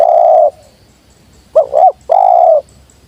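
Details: Wild spotted dove coming down, giving the sweet 'jergot' style call: a long, steady, low hooting coo, then a quick two-part wavering note and another drawn-out coo.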